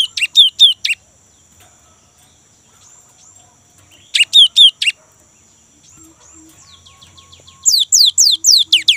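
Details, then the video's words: Lure song of a young, active great tit for kept birds: clusters of high, sharply slurred notes mixed with lower notes, two short groups and then a longer rapid series at the end. "GELATIK BATU MUDA GACOR | Glatik Ngerol Untuk Pancingan Gelatik Batu"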